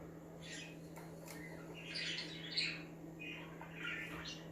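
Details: Pet budgies chirping to liven up other budgies, soft broken chirps followed by a louder burst of buzzy warbling, then a short squeaky phrase, with a low hum underneath.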